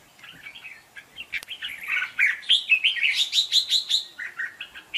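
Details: Red-whiskered bulbul in contest singing as a trapping decoy: soft warbles building into a loud, fast run of evenly repeated sharp whistled notes, about three per second.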